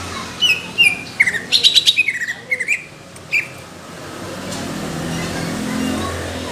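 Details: Caged greater green leafbird in competition-quality song, rough and thick in tone: a rapid cluster of bright chirps and slurred whistles in the first half, then fading to background noise.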